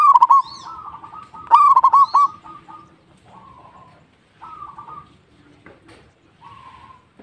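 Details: Local zebra dove in full song. Two loud phrases of quick, stuttering low coos end in a rolling trill, and fainter similar phrases follow from birds in the background.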